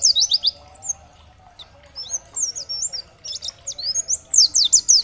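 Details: Oriental white-eye (dakbal type) giving a high, rapid twitter, then sparse whistled slurs, building again into a dense run of sharp downward notes; played to get other white-eyes to respond and sing.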